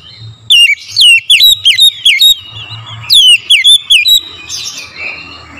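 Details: Oriental magpie-robin in the morning, recorded as lure song for birdkeeping: two loud phrases of bright, swooping whistles separated by a brief pause, each phrase of five or six notes, with quieter bird chatter behind.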